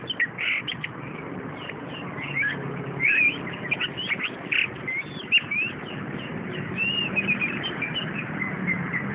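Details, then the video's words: Caged orange-headed thrush delivering a continuous jumble of bright whistles, quick chips and drawn-out slurred notes, varied and unbroken, with a steady low rumble beneath. "anis kembang jos"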